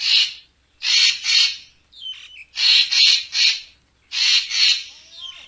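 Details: Racket-tailed treepie in a lure recording for bird photographers, giving a run of scratchy, rasping double and triple bursts with brief thin whistled notes slipped between them.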